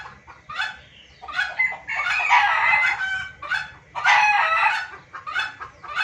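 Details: Junglefowl lure recording for trapping: scattered clucks building into two loud stretches of harsh overlapping cackles, separated by a short drop, with further clucks trailing off.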